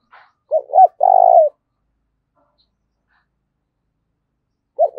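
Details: Fighting-provoking coo of a spotted dove used as a lure: a brief two-part note, then a sustained buzzy coo falling at its close, a pause of about three seconds, and the start of the next phrase.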